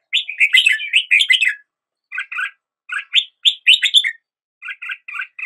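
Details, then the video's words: Red-whiskered bulbul song, a lively sequence of liquid, chattering whistles, first a dense tumbling phrase, then spaced groups of two or three bright notes separated by brief silences. "Red whiskered Bulbul Song"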